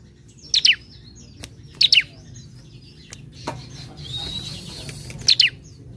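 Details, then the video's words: Bar-winged prinia singing in a relaxed, semi-lively way, played to prompt other birds to sing: short sharp double chirps spaced about every 1.3 seconds, with a brief hissing buzz in between and faint low background rumble. "Ciblek Semi Gacor Santai Untuk Pancing Bunyi"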